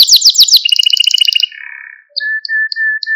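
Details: A Malta canary sings for stimulating canaries: quick high chirps give way to a pulsing rattle and a low sustained whistle, then spaced short high notes over a steady tone.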